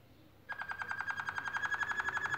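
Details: Singing canary at nest-building time: after a short quiet start, a quick buzzy trill of evenly repeated notes runs to the end, over a faint low hum.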